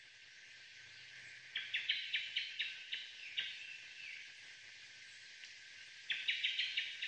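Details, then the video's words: Japanese thrush, unseen, recorded in May 2022: two bursts of rapid, sharp, high chirping notes, about eight in quick succession, then a pause and a second burst, over a quiet background. "クロツグミ の 鳴き声 姿無し【地鳴き・囀り】"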